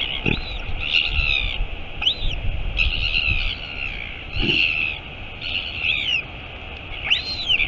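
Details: Royal albatross colony at Taiaroa Head near Dunedin, New Zealand, 23 August 2022, as the mother arrives at the nest; louder, rougher overlapping calls with harsher rasping notes and arched peeps, plus thuds and rustling.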